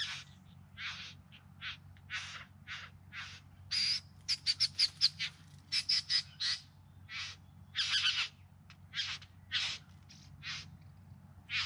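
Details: Bowerbird singing and dancing in courtship near Melbourne's Yarra Valley, September 2020: scratchy buzzy bursts that speed into rapid stuttering rattles of five or six quick notes, then slow again, over a low hum.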